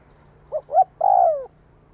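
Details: One phrase from a spotted dove calling to provoke a decoy bird: two brief, low hooting notes followed by a longer, slightly descending coo, with no other clear sounds.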